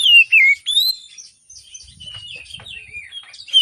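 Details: Oriental magpie-robin in lively morning song, meant to coax silent birds into singing: three loud downward-slurred whistles, then softer twittering and thin notes over faint low rumbling.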